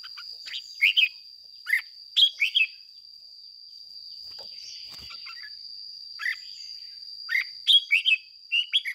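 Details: Captive decoy red-whiskered bulbul trained to sing the fired-up ché style, scattered short warbled phrases between quiet gaps, rising and falling chirps, with a steady high electronic whine throughout.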